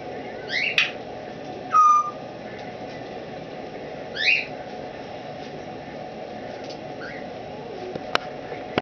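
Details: Caged indoor Timneh African grey hen, over twenty years old and once a wild-caught breeder, trying out her voice months after rehoming: a few bright chirps and one clear falling whistle, separated by long stretches of near silence.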